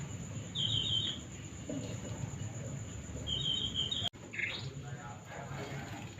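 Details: Male jongkangan singing: two bursts of thin, high, rapidly trilled whistles, one near the start and another after three seconds, over a low steady background hum and a sharp click.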